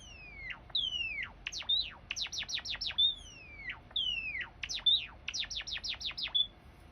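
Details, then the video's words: Java sparrow singing, used as a lure to coax a reluctant bird into song: long downward-gliding whistles alternate with fast bursts of steep falling chips, the pattern repeating across the recording with a faint steady hum behind. "Pancingan Gelatik Jawa Malas Bunyi"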